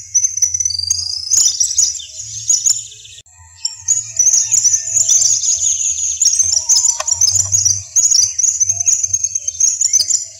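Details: Western yellow wagtail (Motacilla flava) in the savanna region of Corozal, Sucre, Colombia: a near-continuous stream of thin, very high twittering and chirping notes, briefly broken just after three seconds, over a faint low hum.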